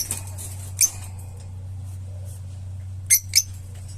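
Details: Opaline lovebird kept as a pet, giving three brief shrill chirps, one near the start and two close together near the end, over a steady low electrical hum in a quiet room.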